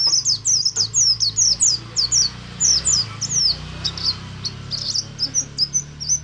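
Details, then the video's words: Ngalas-style singing by a Buxtomi oriental white-eye, meant to set other white-eyes singing: rapid, continuous high downslurred whistles, softening toward the end, against a noticeable low rumble and hiss. "BUXTO NGALAS, untuk merangsang pleci ombyokan agar cepat ngriwik"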